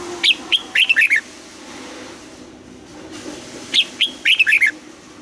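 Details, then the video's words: Morning voice training of a Red-whiskered bulbul for the 'âm kép già rừng' double-note song. Two phrases of several rapid, chirpy, rising-and-falling whistled notes, about three and a half seconds apart. "Luyện giọng cho chào mào hót sáng, ép chào mào hót âm kép già rừng hay tuyệt"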